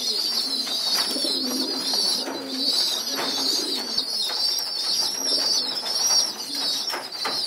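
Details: Young pigeons gathered on a loft floor for group feeding beg with pulsing, high-pitched wheezy squeals, joined now and then by low, muffled coos.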